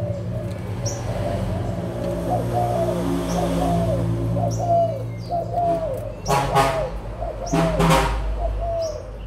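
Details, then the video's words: Adult spotted doves of Malaysian and Thai stock, recorded 16 March 2022: many overlapping soft arched coos repeated rapidly, with sharp high chirps from small birds, a steady low hum, and louder bursts near the end. "cu gáy trưởng thành malaysia và thailand"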